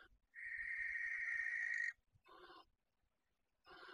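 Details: Common kestrel (Falco tinnunculus) of a breeding pair nesting in a box built for barn owls at Riet Vell bird reserve, Ebro Delta, Tarragona, bringing a field mouse; a long drawn whining note of about 1.5 seconds, then shorter raspy bursts.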